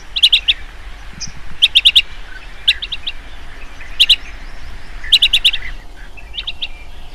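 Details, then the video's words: Blue-tailed bee-eater, an insect-eating bird, calling at dusk: short, clipped, rolling chirps in quick runs of three to four, repeated every second or so, with soft background noise. "Burung kirik - kirik senja"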